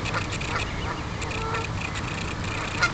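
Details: Geese at a pond shared with ducks, calling while defending four goslings from other geese that came too close; faint, nasal honks scattered through the clip over a steady low rumble of background noise.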